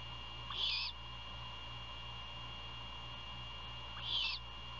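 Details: Great horned owl at night near Savannah, Georgia, 27 February 2022, while prey is handed over and fed; two sharp hissing screeches about three and a half seconds apart, each preceded by a faint tick, with background hum.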